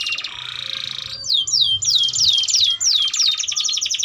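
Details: Canary song for training juvenile canaries to sing: an even, buzzy trill gives way to a string of loud descending whistled slurs repeated about three times a second, then rapid chattering notes.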